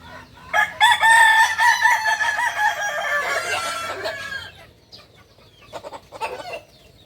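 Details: Kukuak balenggek chicken, a native breed from Solok, West Sumatra, crowing: a loud rising opening then a long wavering, stepped crow of rapid pulses lasting about three seconds, fading out, followed by fainter clucks.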